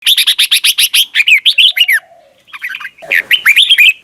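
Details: Red-whiskered bulbul morning song in the double-note wild style, used for training birds: a rapid run of about a dozen sharp chirps, then bright, warbled slurred phrases rising and falling, a short pause and more rich whistles.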